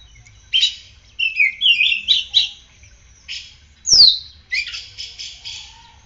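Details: Singing caged oriental magpie-robin following morning sunning and morning dew: varied phrases of harsh buzzy notes and slurred warbles, a loud high whistle dropping sharply in pitch, then a fast series of rasping chirps.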